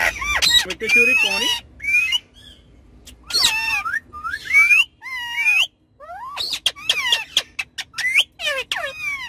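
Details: Ringneck parrots talking and playing on a car back seat: rapid rising and falling whistled squawks and chattering phrases, some speech-like, in loud bursts with short silent gaps, dense toward the end.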